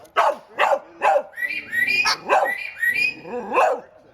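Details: Pet bird imitating a dog's bark during a bark-off with a dog: a series of harsh, bark-like notes about twice a second, broken midway by clear rising whistled notes, then more barks.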